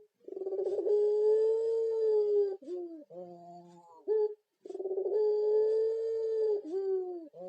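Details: Puter pelung turtle dove, said to sound like a ghost: two long, drawn-out, hollow low coos, each held about two seconds and ending in a short dip, with quieter broken notes between them.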